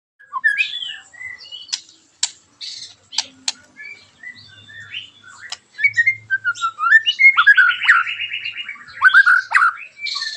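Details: Caged white-rumped shama in loud, harsh song meant to provoke other shamas into singing: varied whistles, sharp clicks and buzzy phrases, ending in a fast rattling trill around the middle pitch range.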